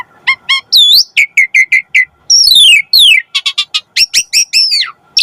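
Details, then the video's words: Asian pied starling in full song for training kept birds: short whistled notes, long downward-gliding whistles, rapid chattering bursts and rising slurs in quick succession, loud and clear. "Suara Burung Jalak Suren - Masteran & Pancingan Jalak Agar Mompa Gacor"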